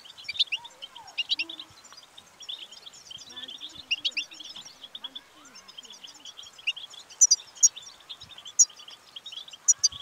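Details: Goldfinch tabtaba song meant to encourage singing: a busy, high-pitched twittering stream of liquid chirps and brief trills, growing denser toward the end, with a few stronger piercing notes and soft low sounds in the background.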